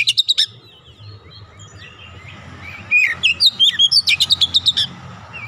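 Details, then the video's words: Oriental magpie-robin singing rapid bursts of sharp high chirps and whistles, a brief burst then a longer fast run of repeated notes, over faint background hum. "KACER bahan langsung ikutan gacor"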